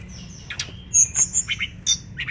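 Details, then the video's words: Mangrove blue flycatcher in lively full song, used as a tutor recording for training songbirds: short high, thin whistled notes and quick chirps, some clear pure tones, in rapid irregular bursts over a faint low hum. "MASTERAN BURUNG TLEDEKAN BAKAU GACOR"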